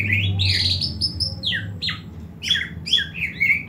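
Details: Greater green leafbird giving a fighting call: a rapid run of harsh, scratchy notes and sharp downward-slurred whistles, loud and varied, with a low steady hum underneath.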